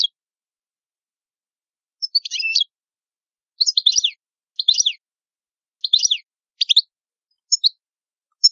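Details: European goldfinch singing: short bursts of bright, tinkling twitters in rapid jumbled clusters, separated by brief silent gaps, with no other sounds.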